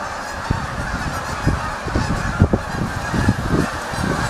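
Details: Big flock of geese close by, loud blended honking with frequent low rumbling knocks beneath the calls.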